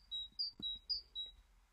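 Great tit giving clear, high whistled notes alternating between two pitches, about three pairs in under two seconds, with faint low background noise.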